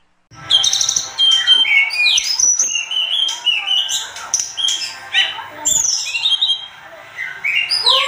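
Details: Sunda robin in agitated, vigorous full song, used as a tutor recording for training cage birds: a dense, continuous run of sweet high whistles, slurred rising and falling notes and quick trills, with brief sharp clicks between phrases.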